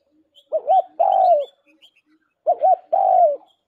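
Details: Lure call of a spotted dove, two phrases repeated two seconds apart, each a short warbling two-part coo running into a drawn-out, level then dropping coo, clear against a silent background.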